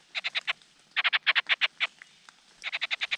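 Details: Nestling Large Niltavas begging as the male feeds them: three short bursts of rapid, harsh rasping notes separated by brief silences.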